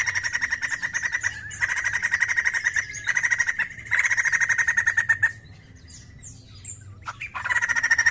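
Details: White-crested laughingthrush giving rapid, evenly pulsed chattering runs of bright harmonic notes, broken by short pauses, with a quieter stretch holding a thin high whistled note before the chatter resumes.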